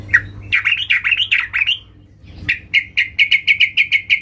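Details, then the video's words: A female sooty-headed bulbul calls to the male: a single chirp, then a long scratchy, warbling chatter, a pause, and a steady series of about ten sharp, evenly spaced chirps. "Trucuk BETINA MEMANGGIL JANTAN"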